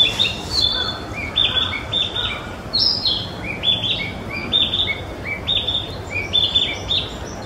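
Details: Mizumoto Park, 27 April 2023: a young, still mostly brown Narcissus flycatcher sings steadily, repeating rich whistled phrases of short notes jumping up and down in pitch, almost continuously for over seven seconds against low background hum.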